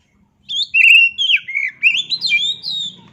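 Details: Oriental magpie-robin song: a sustained whistle followed by slurred, looping notes and higher sharp accents, about two and a half seconds, over a faint low hum.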